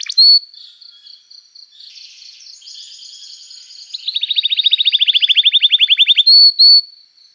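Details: Canary in full 'gacor' song, used to prompt other canaries to answer and as therapy for canaries that have stopped singing: high whistled notes and buzzy passages, then a rapid rolled trill of evenly repeated notes, closing with two loud clear whistles.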